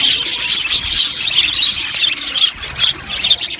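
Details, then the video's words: Budgerigars chirping together in an aviary: busy, high squeaky warbles and tweets overlapping continuously, fading slightly toward the end. "Amazing Budgies chirping sounds | Budgies parakeets sounds"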